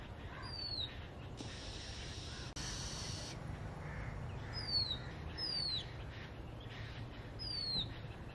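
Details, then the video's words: Asian gray robin singing: thin, high whistled notes that slide steeply downward, given singly at irregular gaps of about one to three seconds, with bursts of broad hissing noise and a constant low rumble behind them. "The singing robin bird"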